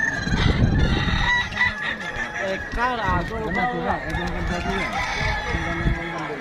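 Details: Kukuak Balenggek chickens at a crowing contest, several roosters crowing in long, stepped, multi-note phrases that overlap one another, with steady crowd noise and thumping clapping underneath.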